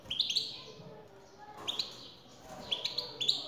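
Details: Male European goldfinch singing in reply to a recorded female's call: short bright chirps in two clusters, with a quieter gap between them and faint background hiss.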